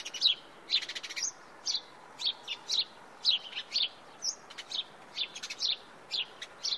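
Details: House sparrows in Wittlich, recorded in 2017, giving short bright chirps around two to five thousand cycles, repeated roughly twice a second in irregular bursts, several birds overlapping, with a quiet outdoor background.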